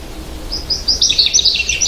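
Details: American goldfinch: a short string of high sweet chirps building into a fast, bright twittering warble.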